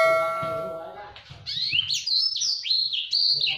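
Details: Blacksang (blackthroat × sanger hybrid) in full, active song: a fast, dense, high warbling song of quick trills and sweeping notes after a fading, ringing bell-like tone, over a low hum. It is offered as a master song for tutoring canaries.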